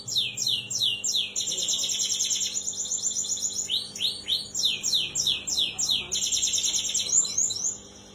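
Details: Canary singing to prompt a silent canary to sing: a continuous rapid song of fast repeated high trills and rolling notes, phrases changing every second or two, very dense and steady, with a faint low hum underneath.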